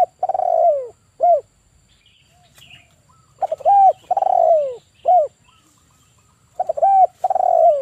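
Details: Three cooing phrases come at slow, even intervals from a male 'kuk 1' spotted dove kept as a trapping lure: each starts with clipped notes, swells into a long rolling coo that falls in pitch, and ends with a short arched note.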